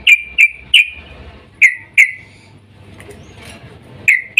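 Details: Female yellow-vented bulbul calling for a male in breeding mood, for luring: single sharp, clear notes given irregularly, sometimes in pairs, with a quiet gap in the middle.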